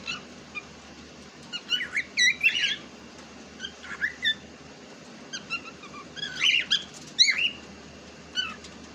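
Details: A pet cockatiel described as talking in Urdu makes clusters of sharp, rising squeaks and whistles, with louder groups of notes near the middle and end, over a low background hum.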